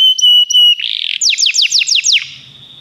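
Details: Canary song used for song training: a long steady whistled tone with a brief break, then a buzzy burst and a fast series of six descending sweeping trilled notes, ending in a fading hiss.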